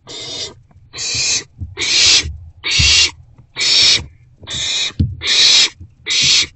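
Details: Owl at a nest box in the wild, evening of 29 March 2024, while prey rodents are brought in. A rapid series of eight harsh hissing screeches, nearly one a second, comes with low bumps and scuffing noises from the box.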